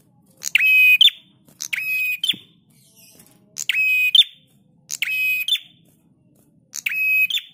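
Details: Prinia song from a master recording made for training cage birds: harsh, buzzy half-second bursts with a steady ringing core, each closing on a sharp higher note, repeated at uneven gaps of about one to two seconds over quiet background.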